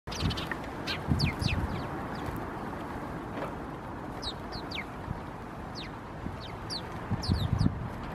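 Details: House sparrows in a group in Helsinki, Finland, on 16 September 2021, one bird showing abnormal white patches on its crown; many short high chirps scattered irregularly over steady low urban rumble.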